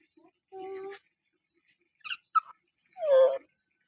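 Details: Common hill myna giving its typical calls in a quiet room: a nasal harmonic squawk, then brief high chirps, and a loud wailing downslurred cry.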